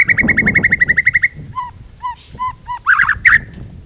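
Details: White-rumped shama song with full repertoire for training other birds: a fast rattling series of about fifteen notes, then spaced low whistles repeated every half second, ending in harsh squeaky phrases over background rumble.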